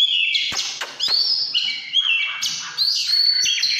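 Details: Short, vigorous burst of căn lửa song from an Oriental magpie-robin, made of quick whistled glides, sharp upslurs and bright notes broken by tiny gaps.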